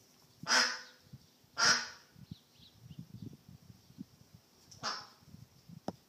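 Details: A lost duck gives two loud, harsh quacks in quick succession, then a third after a pause, with scattered soft clicks and rustles between them.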